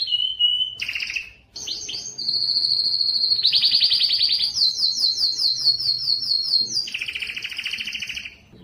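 A Timbrado canary sings a continuous run of rolling, metallic trills and buzzy tours, shifting pitch every second or so, with no other sounds.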